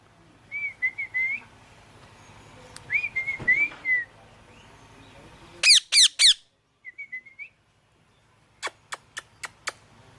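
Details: Parrot sounds. Short whistled notes in small warbling runs are followed by a burst of three loud, rasping squawks. A quiet gap comes next, then a few more whistles and a series of sharp clicks over a low indoor hum.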